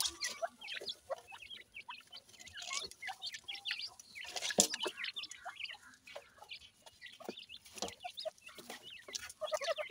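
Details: Feeding black francolin chicks kept in Pakistan, locally dakhni teetar, uttering quick high chips and peeps between many dry pecking clicks.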